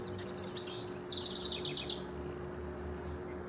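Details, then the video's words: House wren from a rival encounter, recorded 6/12 to 6/24/15: one short, high, bubbly song that trills downward in quick pulses, followed by a brief faint high chirp over low steady hum. "House wren rivals"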